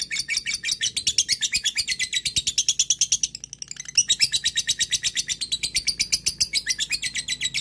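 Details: Lovebird in long ngekek chatter, calling a rival and used as a lure: fast, rasping high chirps in an unbroken stream, a brief dip near the middle, then the rapid chattering resumes just as loudly.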